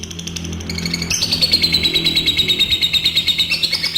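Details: Adult lovebird giving a long trilling song of the kind used to lure other lovebirds into singing. The trill is high and rapid, about three pulses a second, over a steady tone. A low hum and a faint musical background sit underneath.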